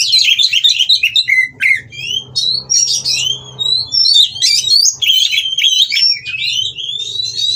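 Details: Caged Oriental magpie-robins at a breeding farm during mating, singing to provoke rivals: a rapid, varied stream of sharp whistles, slurred notes and scratchy chatter, tumbling on with little pause over a soft low hum.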